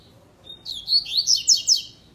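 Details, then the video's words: Double-collared seedeater song in the tui tui / zel zel style: a thin, level whistled note leads into a rapid string of loud, high, sweeping chirps repeated about every fifth of a second. "Papacapim tui tui zel zel , coleiro tui tui"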